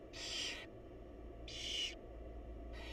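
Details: Wild barn owl mother feeding chicks inside a nest box; rasping, noisy hiss-screeches of about half a second, three in a row spaced over a second apart, with constant low background hum.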